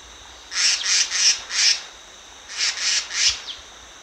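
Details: Black-naped monarch used as a lure bird, uttering loud, high, buzzy rasps like a saw, four in a row and then three more after a brief pause.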